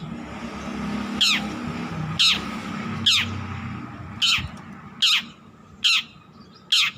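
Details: Young long-tailed shrike, still learning its song, repeats a single loud harsh downward-slurred note seven times, about once a second, with a low murmur of background noise between notes.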